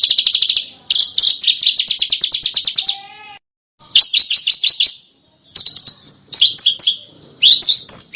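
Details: Sharp small bird song from a master track for training competition cage birds: fast high trills broken by brief pauses, a low whistled note, then bursts of quick sweeping chips.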